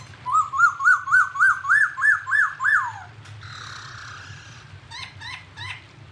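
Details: Unnamed bird heard as a clear tutor recording for songbirds in Indonesia: a run of nine quick rising whistled notes climbing slightly in pitch, a falling slur, a buzzy rough note, then three short sharp chips.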